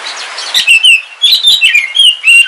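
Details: Oriental magpie-robin, a black Kalimantan form kept as a house bird, singing on a rainy day: loud, clear whistled phrases with sliding notes, rapid varied chirps and warbles in a continuous sequence, strong and close.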